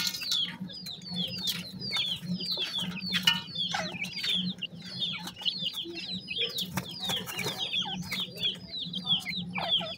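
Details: Group of grey francolin chicks, called partridge or teetar, busy feeding; a constant stream of thin, sharp, falling peeps from many birds, with a faint low hum and occasional clicks.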